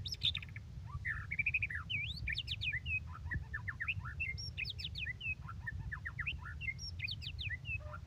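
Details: White-rumped shama in active song, delivering a continuous stream of varied whistles, quick upslurs and short chattering phrases over a constant low rumbling background hum.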